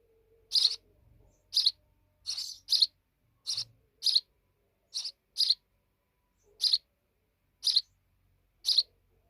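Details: Young sparrows, fledged and grown, chirping in separated high notes, some paired, with a soft low tone at the start and light knocks.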